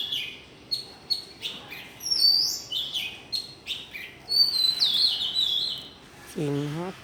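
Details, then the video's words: Exuberant birdsong hailing the new day, with rapid high chirps, rising and falling whistled phrases and a long bright warble, ending with a lower harmonic call. "Chim hót líu lo chào mừng ngày mới"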